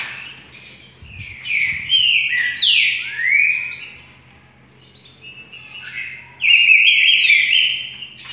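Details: Rufous-collared sparrow song in the 'trinca' style: loud, ringing whistled notes, several steep downward and upward sweeps, a quiet gap, then a final bright run of slurred whistles; a faint hum persists.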